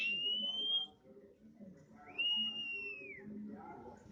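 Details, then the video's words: Untrained oriental magpie-robin that has begun singing often: two long, clear whistled notes, the first steady and slightly rising, the second an arching note that rises, holds, then falls, with faint murmuring and room noise beneath. "KACER NEMBAK SUARA ASLI ALAM"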